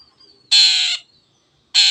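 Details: Long-tailed shrike in energetic 'gacor' form, played to prompt silent birds to start singing: two loud, harsh, rasping bursts, the first lasting about half a second and the second beginning near the end, with near-silence and faint high tones between.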